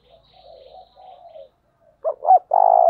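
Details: A spotted dove calls urgently to provoke wild doves. Faint wavering coos come first, along with a thin high whistle. Then the bird gives two sharp looping notes and starts a long, loud coo.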